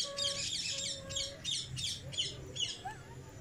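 A cockatiel gives bright, rapid chirps in short clustered bursts, with a steady low whistled note underneath.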